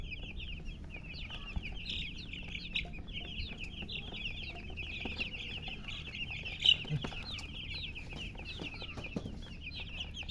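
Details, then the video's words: Baby chicks with a hen cheep without pause: a dense stream of short, high, down-slurred peeps from many overlapping voices, one louder peep near the middle, over a steady low rumble. "silly chicken chirping sounds"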